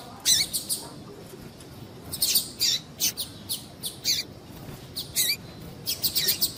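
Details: Calls of a female double-collared seedeater, played to excite males kept for song tournaments; quick high chirps in little clusters of two to four, repeated steadily throughout.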